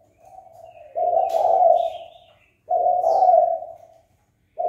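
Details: Spotted dove uttering its fight-provoking call: a quiet lead-in coo, then two strong, drawn-out, burry coo phrases about two seconds apart, with faint high chirps overhead.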